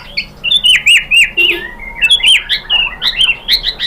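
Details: Varied song of a white-rumped shama (murai batu), used as a provocation to set other shamas singing: quick sequence of looping whistles and chirps, bright and rhythmic, without pause.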